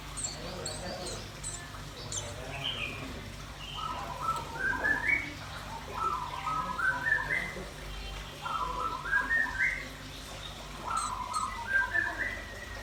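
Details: Birdsong of a red-billed nuthatch and a white-rumped shama: whistled phrases rising stepwise, repeated roughly every two to three seconds, over a few thin high chirps and steady background hiss.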